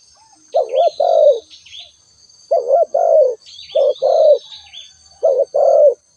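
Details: Spotted dove calling: four low cooing phrases, each a short wavering coo and a longer falling croo, spaced irregularly. Small birds chirp faintly high above, and a steady thin insect whine runs throughout.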